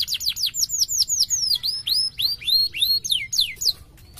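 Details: Canary singing, played to coax a silent canary into responding: a rapid series of bright down-slurred whistles, some curving up and down, spaced at irregular quick intervals for about four seconds.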